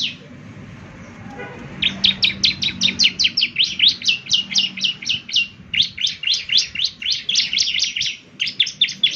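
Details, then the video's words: Bar-winged Prinia ('semi' ciblek) in lively 'gacor' song, used as morning playback to prompt answers: after a quiet start, a long rattling series of about thirty high, sharp notes with one short break midway. "ciblek semi gacor, putar tiap PAGI agar ciblek semi ikut nyaut bunyi GACOR"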